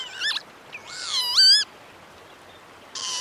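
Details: Northern lapwing giving a short dipping whistle, then a long buzzy, wavering note that rises and falls, followed by quiet and the start of another wheezy call.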